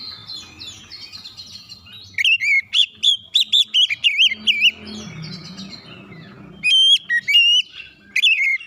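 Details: Oriental magpie-robin song used as a lure to rouse lazy, silent magpie-robins into singing: bursts of loud, sliding whistled notes with buzzy overtones, repeated in short phrases after a quieter warbling start, with faint low rumbling beneath.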